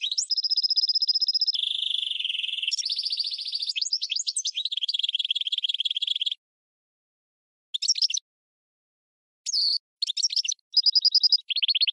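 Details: A hybrid of a goldfinch and a red canary, used as a song tutor for training birds, sings a high, varied song of rolling trills, buzzy rattles and sweet whistled notes, ending in short bursts between brief pauses.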